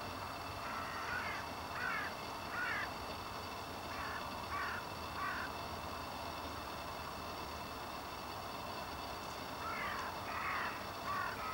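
Common redshank calling in short grouped bursts of two or three notes, repeated at intervals, over a steady rumble of wind or distant traffic.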